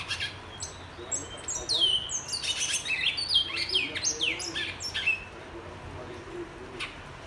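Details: A black-and-white seedeater, known as twa twa, bicudo or pico plata de negro, whistles on 21 February 2022: a burst of fast swooping notes and trills lasting several seconds, then near quiet with one short final chirp.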